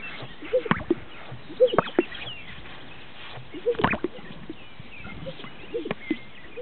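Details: Displaying greater sage-grouse at a northern Utah lek, giving hollow plopping blips and snapping pops roughly every second or two, with faint thin calls from other birds behind.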